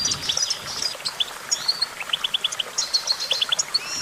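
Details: Goldfinch singing a busy twitter of sharp, high chirps in quick runs, mixed with thin rising whistles and a light hiss of background noise.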